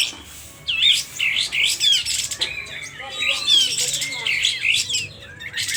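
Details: Sooty-headed bulbul (kapas tembak) from Aceh, agitated and spreading its tail, singing loudly as a lure to provoke silent bulbuls: a near-continuous run of sharp chirps, slurred whistles and quick trills with brief pauses.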